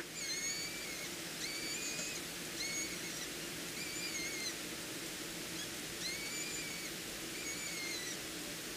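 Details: Peregrine falcons at a nest in Heidelberg, on the Palatina, during a feeding in April 2020: a series of thin, slightly rising whined notes, each about half a second long, repeated every second or so under a steady background hiss.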